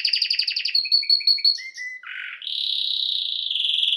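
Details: Canary song with rapid pulsed trills, a run of short lower chirps, a brief harsh rattle, then a steady high sustained trill to the end; no other noise.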